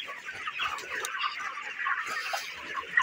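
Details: A house of 29-day-old broiler chickens on a farm producing a continuous murmur of chirps and clucks, with a sharp louder note at the very end.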